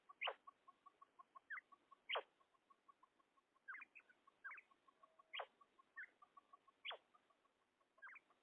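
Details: Female common quail calls, used for quail hunting: a steady series of soft, evenly spaced mid-pitched pips runs throughout, broken by sharp, clicking chirps and short upward-slurred notes every second or two.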